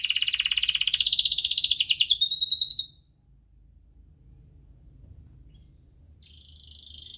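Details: Canary in full 'gacor' song, 'cuit-cuit ngerol' style, used to stimulate sluggish singers: a dense, high rapid trill for about three seconds, then quiet with low background hum, followed by a brief thin high note near the end.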